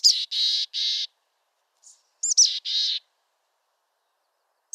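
Mountain chickadee gives a thin, high opening note followed by two or three harsh, buzzy notes, twice in quick succession, with clean silence between phrases.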